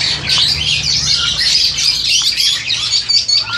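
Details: Crested Myna kept in captivity, about seven to eight months old, recorded on an old Samsung phone; rapid, scratchy, twittering chatter with squeaky notes, running without a break over a faint low hum.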